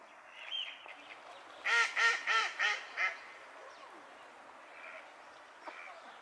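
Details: Mallards in a courtship display: after a soft opening call, five loud, harsh quacks follow evenly in quick succession, then fainter scattered calls and background hiss.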